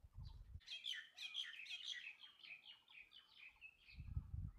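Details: Bulbul singing: a rapid run of bright, chirpy, warbled notes at mid-high pitch, slightly descending and trailing off, with low rumbling noise bursts at the start and end.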